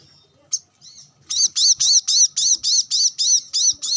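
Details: Brown-throated sunbird singing while sunbathing, calling out to wild birds: a fast run of loud, high, arched chirps, about four per second and fairly even, after a few softer opening notes.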